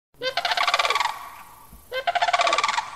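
A sandhill crane gives two loud, rolling, rattling bugle calls, each about a second long, with a brief quiet gap between them.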